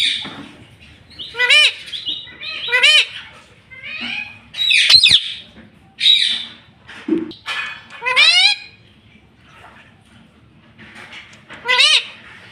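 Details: Pet talking parrot kept at home, its owner saying it will say mummy and papa: loud ringing harmonic calls, each falling away sharply, given in short runs of two or three every second or so, with quiet room noise between.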